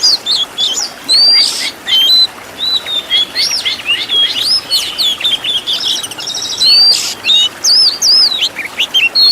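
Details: Oriental magpie-robin master song for training caged birds, full of 'isian tembakan' fill-in phrases: loud, varied high whistles, sharp upslurred and downslurred notes and brief harsh buzzy bursts, delivered in quick separated phrases.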